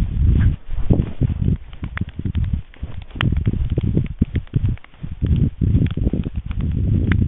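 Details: A white stork at Jaczno rattles its bill on the evening of 23 April 2021 during an attack by a second female: bursts of rapid, wooden clacks over several seconds, with low rumbling and rustling underneath.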